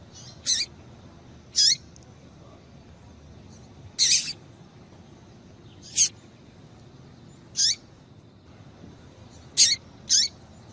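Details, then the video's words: Female double-collared seedeater calling so the male will start singing: sharp high chips and short rasping notes, about seven in eleven seconds at uneven intervals, with one quick double note near the end. "Piado de Fêmea de Coleiro para Esquentar Coleiro"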